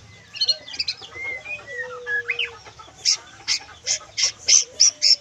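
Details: Kriwikan singing by a white-rumped shama fresh out of its spotted juvenile plumage. Soft varied warbles and short slurred whistles come first, then a rapid run of sharp, very high chipping notes repeated about twice a second.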